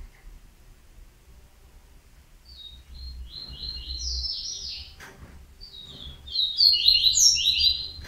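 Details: After a quiet start, a yellow-bellied seedeater breaks into rapid high twittering, pauses briefly, then delivers a louder, denser run of sharp sweet notes; a low rumble sits in the background.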